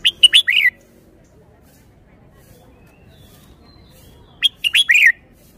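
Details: Red-whiskered bulbul delivering a well-styled song phrase twice, about four seconds apart. Each phrase is a fast run of sharp, clipped notes closing with a bubbly downward slur, separated by near silence.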